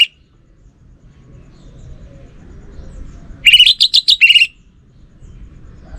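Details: An orange-headed thrush delivers one short burst of song, a quick cluster of clear whistles and warbled notes lasting about a second, with low background hum before and after.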